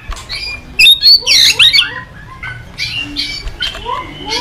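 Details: White-rumped shama singing in the morning, played as a lure to get trained cage birds singing. It gives loud, rich, varied whistles and slurred notes sweeping up and down, over steady background hiss.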